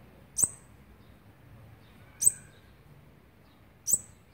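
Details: Olive-backed Sunbird young being fed, day twelve of feeding, 29 September 2019: three sharp, very high chirps repeated at roughly two-second intervals with soft low hum behind.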